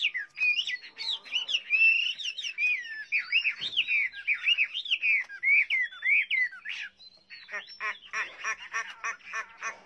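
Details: Chinese hwamei in song: a loud, varied run of slurred whistled phrases swooping up and down, shifting near the end into rapid buzzy, chattering notes.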